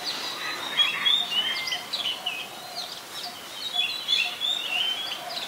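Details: Oriental magpie-robin, a very common resident, singing in Ubon Ratchathani, Thailand, on 3 February 2023: varied whistled phrases of sliding and warbled notes between mid and high pitch, delivered in quick succession with brief pauses, faint background noise.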